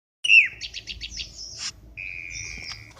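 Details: Black-winged starling lure call for trapping birds: a loud downslurred whistle, then a rapid series of buzzy pulsed notes, a pause, and a long flat whistle with a sharp click near the end.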